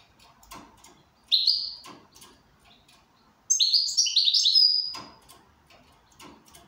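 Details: Goldfinch in good condition: a short buzzy note, then a lively rushing phrase of tinkling, twittering notes ending in a thin drawn-out whistle, with soft clicks and taps around it.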